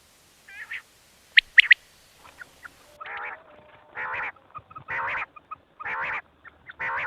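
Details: Wild quails in the evening giving nasal, buzzy calls roughly once a second, each a short harsh burst, after a few sharper higher notes near the start.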